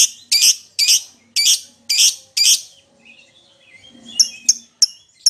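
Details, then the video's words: Lovebird calling to its companion and rivals as a lure sound: five or six loud, rasping chirps at a steady pace, a short quiet pause with faint chatter, then four thinner, sharper tweets. "suara lovebird memanggil temennya"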